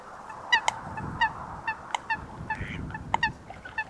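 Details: Short burst of coot calls from a wetland, with a few nasal, honking notes over a low background rumble.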